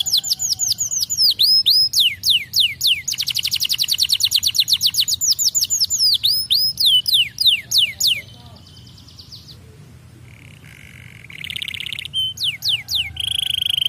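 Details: Canary song: long rapid trills of sharp repeated whistled notes, with a dense rolling tour in the middle and slurred sweeps, then a quieter pause before buzzy and trilled phrases return toward the end.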